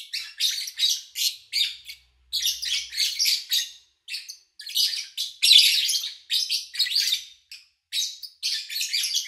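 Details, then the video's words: Captive lovebirds recorded in August 2019 during a quiet spell with little engine noise or human activity: dense bursts of harsh, buzzy chirps, many overlapping, coming in rapid clusters with brief silent gaps. "Sounds of Lovebird Chirping"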